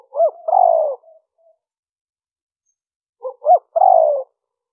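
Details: Spotted dove coo in the liêu ròng style, used as a lure to draw in wild birds: two phrases about three seconds apart, each a short note, a rising note, then a long falling buzzy coo, in silence.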